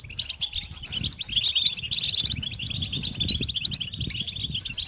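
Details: Goldfinches chattering and singing together, offered as calls stimulating males to sing; dense crackling twitters with a buzzy burst midway, continuing without break over a low rumbling background.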